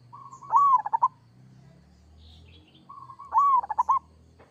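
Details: Two kerot-style phrases from a local zebra dove: soft coos leading into a loud arched coo and rolling pulses, repeated about three seconds apart over a faint low hum.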